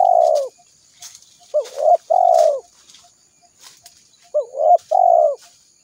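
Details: Spotted dove calling to draw wild doves to a trap: soft, low coos in two-part phrases, a quick hooked note then a longer falling coo, repeated after a pause, with light clicks and a faint high tone.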